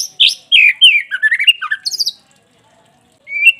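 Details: White-rumped shama of the pastol type, its song used as a lure to rouse caged shamas into quick, agitated singing: a rapid run of varied whistled and chattering notes, falling then rising sharply, a pause, then a brief rising whistle.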